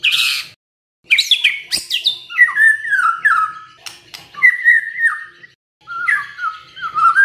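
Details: White-rumped shama singing as a lure meant to provoke silent birds into answering. A harsh opening burst, then sweeping whistles and descending slurred phrases, a brief pause, and more rising and falling warbled notes.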